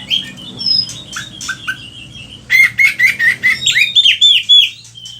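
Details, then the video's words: Lively oriental magpie-robin song meant for tutoring other songbirds: sweet whistles and short slurred notes at first, then a fast run of loud, sharp, repeated chirping notes about four per second, with a faint low hum beneath. "Pancingan suara kacer gacor"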